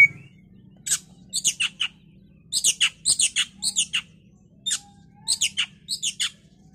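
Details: Oriental magpie-robin singing to provoke a rival bird to sing: repeated bursts of harsh, chattering high chirps in groups of three or four, separated by short silences.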